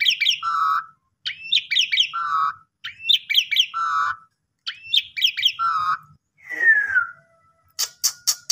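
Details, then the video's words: Asian pied starling lure song for birds that have stopped singing: four phrases of fast chirping notes each ending in a low buzzy tone, then a descending slurred call and a few sharp clicks near the end. "Pancingan Jalak Suren Bongkar Isian Gacor Dengan Gaya Mompa Unik"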